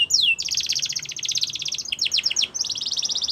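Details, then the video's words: Canary song for training, dominated by a long fast high rattling trill after one falling whistle, broken briefly by quick downslurred notes before the trill resumes. "Canary's Most Powerful Song For Training"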